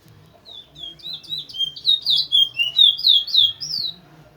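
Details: Towa towa, or large-billed seed finch, from Linden, kept as a teacher bird for training other birds. It gives a rapid run of loud slurred whistles, each note swooping down then up, repeated almost four times a second.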